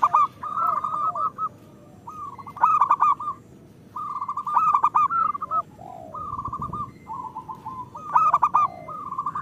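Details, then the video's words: Zebra dove song of local birds, used to prompt silent ones: rolling sequences of quick mellow coos with louder rough bursts roughly every two to three seconds. "Perkutut lokal gacor"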